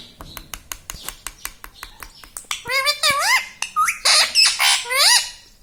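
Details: Chattering pet parrot said to speak "Mummy" and "Papa"; a run of sharp rapid clicks leads into loud, looping, harmonic speech-like calls.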